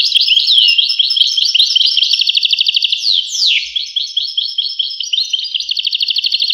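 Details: European goldfinch singing a rapid, continuous twittering song of tinkling notes and buzzy trills, with a sharp downward-sweeping note midway and fast repeated trilled phrases near the end.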